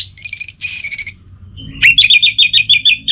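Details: Relaxed song of an orange-headed thrush, meant to coax silent songbirds: a high squeaky opening, a short pause, then a rapid series of about nine bright, chirped notes.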